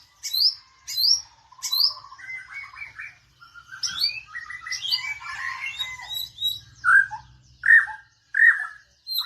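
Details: Magpie-robin singing a varied run of whistled and chirping notes: sharp high slurs at the start, then a busy jumble of twitters, and clear repeated whistles near the end, with a faint low hum underneath.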